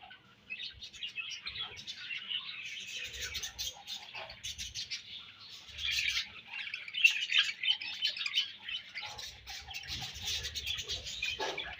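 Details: Continuous twittering of budgerigars in breeding season, a busy stream of fast, high, buzzy chirps about three per second, swelling near the middle and again toward the end.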